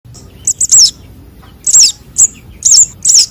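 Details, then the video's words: Sunbird chick calls, of the kind used as a lure to trap birds: very high, thin, squeaky twittered bursts in small clusters, separated by short pauses. "suara anakan burung konin dan sogon untuk pikat"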